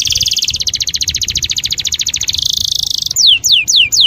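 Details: Canary in a mating-inducing song: a sustained rapid trill of pulsed high notes lasting about three seconds, then four loud sharp descending whistles spaced evenly apart.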